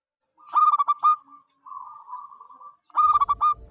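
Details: Local zebra dove singing to invite other doves to sing: two quick, stuttered low coo phrases separated by a soft, level drawn-out coo, in otherwise quiet surroundings.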